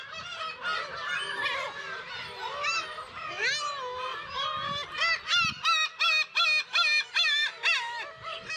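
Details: Black-tailed gulls calling at the Kabushima breeding colony in Hachinohe, Aomori, Japan, on 10 June, when chicks are present; a thick chorus of nasal mewing cries, ending in a run of loud, evenly spaced yelping calls about twice a second.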